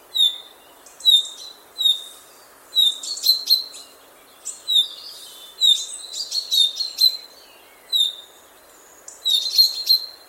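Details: Common chaffinch chirping and singing, recorded with a Zoom F6 field recorder: a busy run of short sharp high chirps, some single and some in quick clusters, repeated steadily over calm background.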